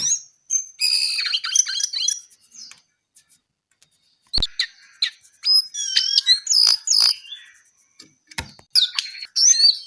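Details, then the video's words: Brown-eared bulbul, a songbird, singing in bursts of bright, varied high whistles and chirps with rapid warbled notes, separated by short silences and two sharp clicks. "KICAU JONGKANGAN COKLAT GACOR TELER."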